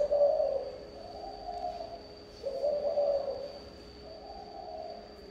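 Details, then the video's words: Spotted dove giving a local-style 'thổ âm' coo: soft, low, hollow cooing phrases that swell and fade, repeating about every two and a half seconds over a faint steady high whine. "Chim gáy thổ âm"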